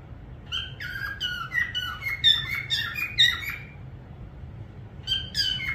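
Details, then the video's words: A parrot whistles a lively string of bright, slurred notes that step downward, falls quiet briefly, then gives a final short chirpy phrase over faint background hum. "parrot sound whistling"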